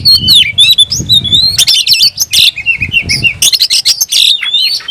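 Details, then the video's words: Oriental magpie-robin, caged, singing with spread tail to call a rival: continuous rich whistling with sliding, wavering phrases and scratchy interjections, some low thumping noise beneath. "kicau burung KACER‼️gacor buka ekor dongkrak emosi panggil lawan tarung"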